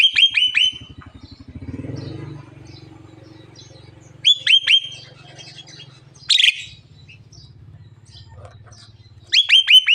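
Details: Javan myna talking until it coughs: loud clusters of three or four sharp, high stacked chirps repeated every few seconds, with one harsh rasping burst, over a low steady hum.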